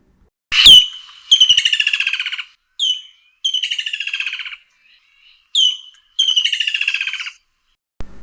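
Woodland Kingfisher giving three shrill calls, each a sharp high note followed by a long, slightly descending rattling trill. No other sounds are heard.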